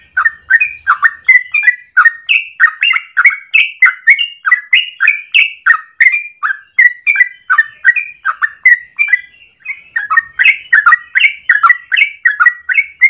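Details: Yellow-vented bulbul pouring out a long, rapid 'ropel' song in the morning, used to lure or train other birds. Thirteen seconds of dense, bubbly, warbled phrases follow one another with hardly a gap, loud and steady throughout.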